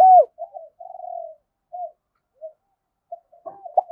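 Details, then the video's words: Spotted dove song used to lure wild doves to fight a decoy. One strong arched coo opens, followed by softer, broken cooing fragments fading in and out, ending with a brief louder note. "tiếng cu gáy thúc Đấu bổi rất rát, trị những con chim cu gáy bổi bể rừng lẹ về cội đấu với mồi"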